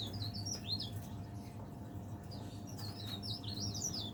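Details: Leaf warbler kept in a cage, singing steadily through the day. Rapid, thin, high-pitched chirps and short wavy whistles come in two quick bursts separated by a brief pause. A faint steady hum runs in the background.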